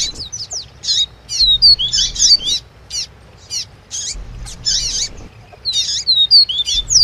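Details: Double-collared seedeater singing its 'tui tui' song together with a female's chirping call, used to stir up a kept bird; high, slurred whistles and buzzy notes come in dense bursts of about a second, separated by short pauses.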